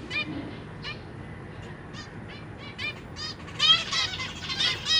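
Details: Zebra finch parents in a cage feeding their young, three juveniles and three new hatchlings, June 2023; rapid, insistent nasal chirps repeated about once a second, swelling into a dense, louder chattering burst near the end.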